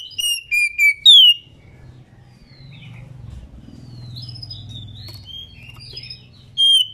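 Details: Female Oriental magpie-robin singing to stimulate males: an opening phrase of three clear whistles capped by a rising swoop, a stretch of faint twittering over a soft low hum, then another loud whistle at the close.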